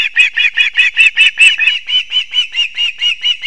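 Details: Osprey at a nest in Kurzeme, Latvia, at 6:40 am on 3 September 2024, filmed on a live nest camera as the male brings two fish to the chicks; bright chirping whistles repeated rapidly, about two per second, in an even series.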